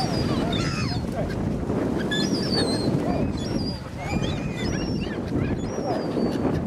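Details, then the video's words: Gulls being fed at Cramond near Edinburgh; several thin, high mewing calls with falling and rising strokes over heavy low wind and water rumble. "Seagulls being Fed"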